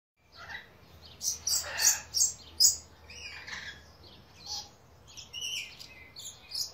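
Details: Red-and-blue lory (Eos reticulata) pair, a one-year-old male and a two-year-old female, recorded 15 May 2017, giving harsh, shrill screeches and high chirps in irregular bursts, two or three a second, over a faint low hum.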